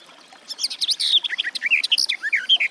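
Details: Garden warbler (Sylvia borin) song: a fast, rambling run of chirpy and fluty warbled notes, starting half a second in and continuing to the end.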